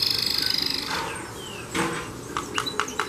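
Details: Yellow domestic canary singing: a fast, even trill of rapid high pulses for about a second, followed by scattered sweeping notes and short bright chirps.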